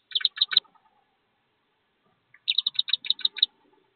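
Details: Wood duck ducklings, part of a brood of 13 jumping from a nest box about 15 feet up to join their mother, give high, thin peeps in quick bursts: about five, a pause, then about ten more.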